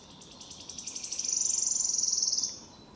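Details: A wood warbler sings in Lübeck on 13 May 2023: high, thin ticking notes speeding into a shivering, metallic trill lasting about two seconds, then stopping abruptly.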